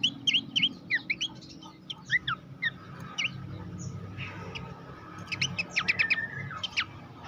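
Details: Horsfield's babbler master song for training songbirds: short sharp whistled notes and downslurred chips in scattered bursts, then a rapid series of high clipped notes near the end, with a faint low hum behind.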